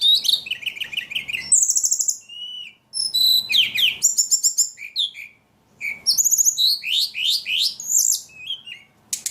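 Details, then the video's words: Vigorous ledekan song mixing trilled chirp series, long high whistles and harsh buzzy notes, delivered in quick phrases with two short pauses. "Burung ledekan paling gacor"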